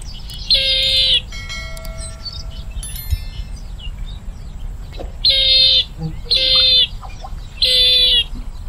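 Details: A bronze-winged jacana calls in harsh, nasal, buzzing blasts: one early note, then three more near the end, spaced under a second apart. Thin chirps and ticks from other birds fill the quiet middle stretch.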